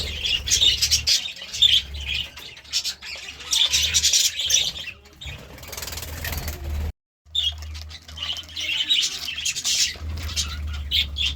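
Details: Budgerigar sounds in the morning: rapid high chirps and chattering phrases in irregular bursts, broken by a brief total silence midway, with a low mechanical hum throughout.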